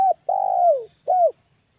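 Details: August lure call of a Spotted dove, a fragment of a coo followed by a long, mellow coo that slides downward, then a shorter rounded coo after a brief gap.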